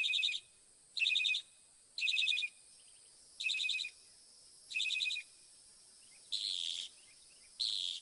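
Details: Northern mockingbird (Mimus polyglottos) singing: a bright, buzzy trilled phrase repeated five times about once a second, then a switch to a harsher, broader burst given twice; quiet background.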